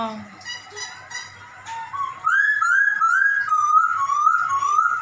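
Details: Captive black-throated laughingthrush doing its cat imitation: soft mews give way to loud, clear whistled notes, each rising then dipping, repeated about twice a second.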